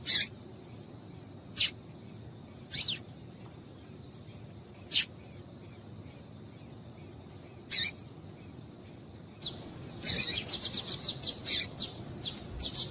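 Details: Female Double-collared seedeater calls used to stimulate males to sing: short high sharp chips spaced one to three seconds apart, ending in a fast run of rapid repeated chips, over a faint steady background hiss.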